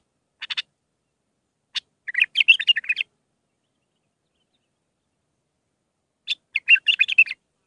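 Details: Bulbul song in the Mandalawi style with six phrases, used for training young birds; two bursts of quick chirpy, warbling notes separated by a long silence, each burst opening with a few sharp single notes.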